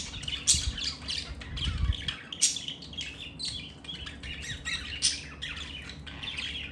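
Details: Budgerigars (Melopsittacus undulatus) during mating chatter in a fast, scratchy warble broken by sharp squawks and chirps.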